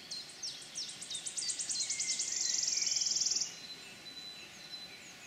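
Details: A wood warbler in the Forest of Dean on 6 May 2018: high, thin ticking notes speed up into a fast, shivering trill lasting about a second, then stop, over a faint steady background hiss.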